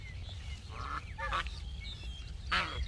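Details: Backyard geese let out a few brassy honks, one short call followed by two louder, broken blasts, over a low background hum.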